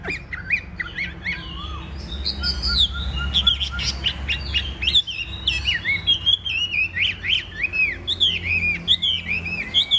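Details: Chinese hwamei singing strongly while in fighting display: long run of varied, clear whistled phrases, quick slurred notes and trills building in loudness, with steady low background hum.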